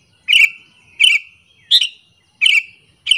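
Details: Sooty-headed bulbul used as a lure to anger rival bulbuls, repeating a single harsh, scratchy chirp with a short whistled tail about every 0.7 seconds, very steady.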